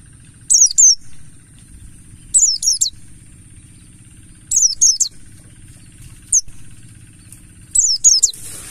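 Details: Mountain white-eye singing as a lure: repeated short bursts of two or three high, rapidly descending whistles roughly every two seconds, with one single note between, over a steady low hum and a faint rushing noise at the end.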